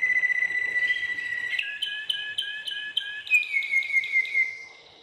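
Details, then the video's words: Waterslager canary from Belgium, a breed kept for song: a long clear whistle, then evenly spaced pulsed notes speeding into a descending bubbling run that fades out. "Huấn luyện chim yến hót | Belgian Waterslager"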